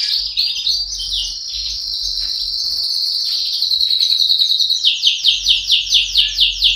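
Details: Canary in song: a long, steady high trill held for several seconds, shifting into a rapid rolling series of repeated chirping notes, over a low steady hum.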